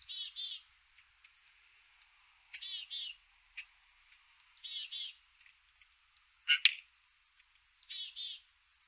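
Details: A pair of Blue Jays at bird feeders in Markham, Ontario, Canada give harsh, nasal jeers, often in quick doubled bursts, every second or two, with one louder, sharper call near the end.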